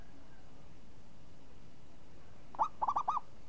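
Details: Zebra dove, a champion bird with a voice described as crisp and swinging (renyah ngayun): after near silence, one short phrase near the end, a sharp rising lead coo followed by three quick rolling, bubbling notes.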